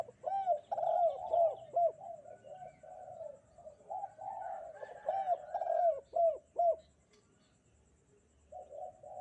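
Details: Spotted dove in full voice on a bright morning, giving husky, rounded coo phrases in quick repeated runs, then a quiet pause before another soft coo at the end.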